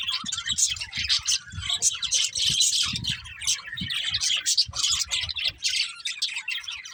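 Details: Chattering budgerigars in a group, a steady stream of scratchy, high warbled chirps and squeaky notes rising and falling in loudness, with soft low thuds throughout.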